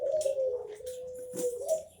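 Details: A domestic collared dove of the puter pelung contest-song type gives a long, steady, low coo held for about two seconds, with faint hissy bursts and other bird sounds behind it.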